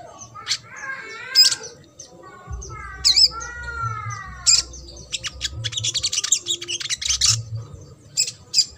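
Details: Ruby-cheeked sunbird, trotol style, played to stimulate quiet birds: clear rising whistled slurs and sharp chips first, then a bout of rapid, high, scratchy twittering.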